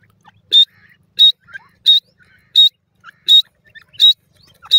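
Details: Grey francolin, also called grey partridge, playing with its chick: short, sharp, high-pitched notes, each a brief harsh burst, repeated steadily about every 0.7 seconds, with faint scattered softer chirps between them.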